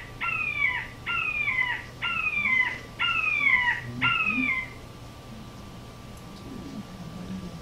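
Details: Red-shouldered hawk (Buteo lineatus) gives five loud, high, down-slurred screams, about one per second, then stops; the call of birds arriving on territory. A steady low hum runs underneath.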